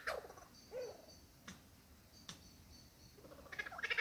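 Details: Male superb lyrebird in the Dandenongs, displaying to a female, runs through a varied mimicry song: low warbled notes, two sharp cracking snaps, then a burst of bright chattering phrases.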